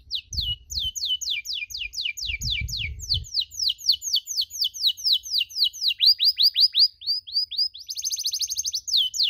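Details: Tutor recording of a canary for teaching young canaries the 'cuit cuit' chirp: long runs of sharp falling chirps that quicken into a dense trill, then shift to upswept notes and a buzzy high rattle, with soft thumps early on.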